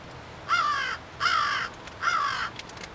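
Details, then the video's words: Black crow giving three harsh, hoarse caws about half a second each, spaced roughly three-quarters of a second apart, over steady background hiss. "Mystery Strange sound BLACK CROW"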